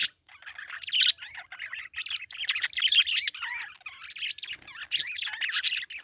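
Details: Parakeet twittering with clear wavering warbled chirps, squeaky notes and occasional sharp high accents, fairly continuous.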